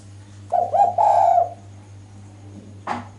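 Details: Female spotted dove calling to draw males to answer: two quick low coos then a longer drawn-out mellow coo, followed by a brief sharp click, over a steady low electrical hum.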